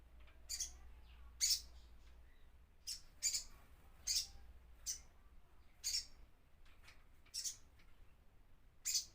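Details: Crimson sunbird repeating sharp, high, clicky chip notes about once a second with irregular spacing, some doubled. A low hum is present early on.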